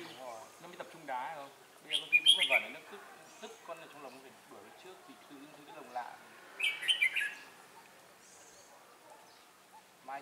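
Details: Red-whiskered bulbuls chasing one another near a trap with a singing decoy, 4 December 2016; two loud bursts of bright chattered whistles, with soft speech and scattered quieter notes between them.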